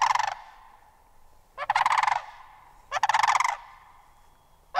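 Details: Sandhill crane repeating a loud, rolling rattle-like bugle about every one and a half seconds, each burst a rapid train of pulses lasting over half a second, with quiet background between calls.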